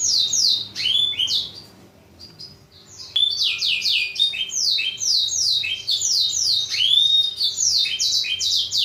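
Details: Black-throated canary song used as a model for training canaries: fast series of high descending whistled notes with sweeping slurs, a short quieter pause near two seconds, then dense repeated trills resume.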